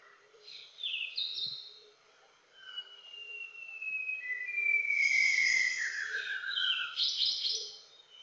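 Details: An adult male White-browed shama, filmed in Montalban, Rizal, Luzon, in August 2021, sings varied clear whistled phrases, including a long slurred whistle falling in pitch, then a burst of higher rich, buzzy notes.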